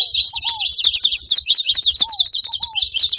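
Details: Rapid high twittering from saffron finches, thick and continuous, with a few brief lower whistles sliding downward.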